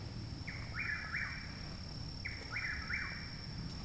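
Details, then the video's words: Chuck-will's-widow near a house in Parkersburg, West Virginia, late May, one month after arrival, gives two loud whistled phrases, each a short note then two sliding notes, spaced nearly two seconds apart over low rumble and a steady high hum. "Chuck Wills Widow Singing Loudly Very Nearby (full month after arrival)"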